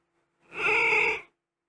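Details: Green-winged macaw pair with their newborn chick inside a nest box; a single harsh, nasal, drawn-out squawk lasting under a second, rich in stacked harmonics, rising and fading quickly.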